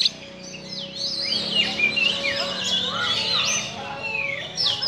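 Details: Oriental magpie-robin (kacer) singing a harsh-voiced song said to stir up emotion: a dense, unbroken run of high, varied whistles, sweeps and rasping notes with no pauses.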